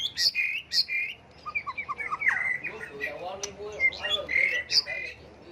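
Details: Multi-voiced shama song used to stir birds into singing contests: bright whistled notes and sharp chips, a fast run of short descending notes, then varied warbles.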